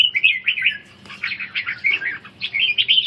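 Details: Red-whiskered bulbul practising ché song during stamina-recovery training; a continuous run of sweet, wavering whistled notes that dips and rises, then a brief pause and a fresh burst of chirpy phrases.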